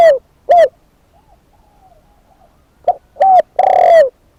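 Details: A spotted dove kept as a decoy gives short downslurred coos, then a faster run of notes ending in a long coo; quiet distant cooing fills the pause between them.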